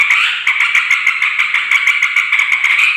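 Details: Yellow-vented bulbul in noisy chatter, aimed at luring wild females and males: an unbroken rasping babble with rapid ticking notes, roughly two per second, and no other sounds.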